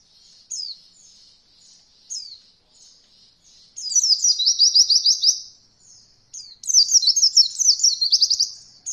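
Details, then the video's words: Tutor recording of an Oriental white-eye for beginner birds learning roll voll: scattered thin high call notes, then two long bursts of rapid, rolling, trilled phrases, each packed with quick up-and-down chirps. "Masteran Pleci Paling Ringan Untuk pemula belajar Roll Voll"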